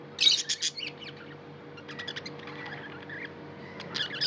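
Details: Tame pet budgerigar chirping: a quick burst of sharp, high chirps and short warbled notes in the first second, a quieter stretch of faint twitters, then more chirps at the end over a low steady hum.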